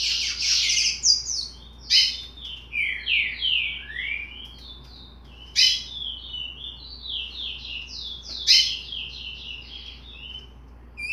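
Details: A 60-day-old chestnut-bellied seed finch rambles through a soft, unformed song of sliding whistles and buzzy chirps, loose and irregular, with brief pauses between phrases.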